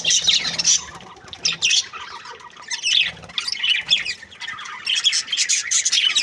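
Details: Budgerigars, described as happy, in busy high chatter of warbled chirps and squawks, almost continuous, with a few lower-pitched notes mixed in.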